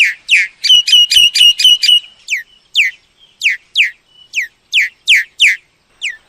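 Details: Lure recording of a myna for trapping birds, opening with a quick stuttered series of buzzy notes, then a string of loud downslurred whistles repeated at an uneven pace.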